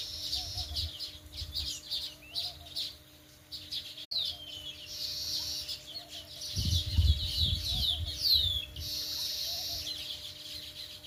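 Sparrows chirp steadily in short, bright, overlapping notes, several birds calling at once, with a low rumble of background noise.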